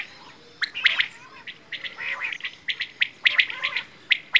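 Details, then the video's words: Quail (bedana) calling in scattered bright chirps and short chattering bursts, the notes sharp and high, spaced irregularly over a quiet background. "Quail | Bedana | batair ki awaaz"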